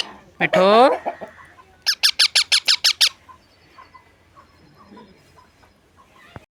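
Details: Talking parrot, said to be saying mummy and papa, gives a drawn-out wavering voice-like syllable, then about seven rapid harsh squawks in a row, followed by quiet room noise and faint clicks.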